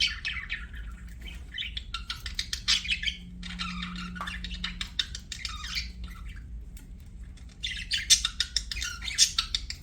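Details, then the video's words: Budgerigar chatter with rapid ticking clicks and squeaky warbles, a faint low steady tone partway through. "BUDGIE CHIRPING SOUNDS"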